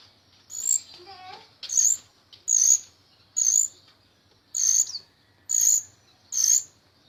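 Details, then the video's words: Myna singing steadily as a tutor for other songbirds: regular harsh, high squawking notes about one per second, with a soft warbled phrase near the start. "Suara Burung Jalak Rio Rio Gacor Teler Isian Banyak"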